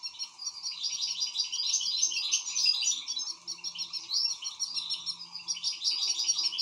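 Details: European goldfinch in an excited state delivering a continuous, rapid jumble of high tinkling twitters, buzzy notes and chirps, about three notes per second, with a faint steady background hum.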